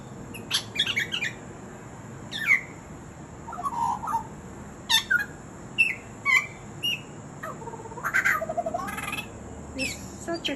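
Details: Butcherbird mimicry made of a jumble of sharp clicks, chips, short whistled slurs and buzzy bursts, irregularly spaced, with a rougher warbled passage near the end.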